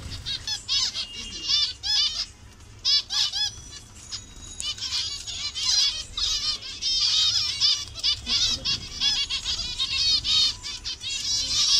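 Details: Zebra finch colony, Bangladesh, with birds of many colour variations; clear bursts of nasal beeping calls alternate with short pauses, the chatter growing denser and more continuous toward the end.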